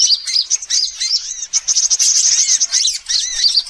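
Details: High, busy sunbird chatter used as a lure for all sunbird kinds: rapid squeaky chirps, a sustained shrill trilled stretch in the middle, and wavering twitters throughout.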